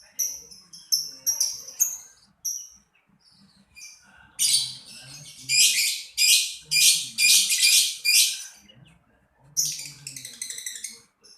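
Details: Lovebird chatter: sharp high chirps in the first seconds, then loud harsh buzzy bursts repeated in quick succession, ending with more scratchy chirping notes.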